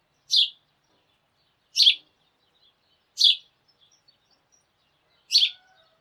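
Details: Sparrows calling at the start of the day: four clear, sharp chirps at intervals of roughly 1.5 seconds, with faint ticks and a quiet whistle in the background.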